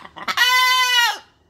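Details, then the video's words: A pet blue-and-yellow macaw, while talking, laughing and playing, gives a few short raspy notes, then a steady, clear, nasal tone held for under a second before it drops away. "Macaw, talking laughing and playing"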